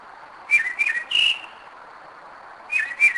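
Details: Mockingbird at 2am in Kennesaw, Georgia, singing from its usual spot; two falling whistled slurs followed by a clear level whistle, then the phrase starting again after a pause.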